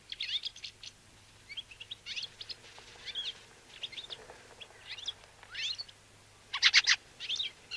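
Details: Fieldfare giving scattered squeaky and harsh notes, ending in a loud rattling burst of chack calls.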